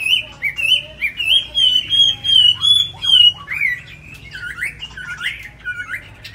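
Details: A tame captive Chinese hwamei in Hanoi, described as singing very well, gives loud, rich whistled phrases, slurred and warbling, with varied rising and falling notes in a rapid continuous stream.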